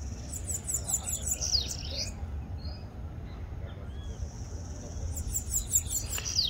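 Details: Several bananaquits at a rural property exchange songs: two very high, rapid, sizzling trills of tightly repeated notes, one at the start and one near the end, with a few softer chirps between and low rumbling background.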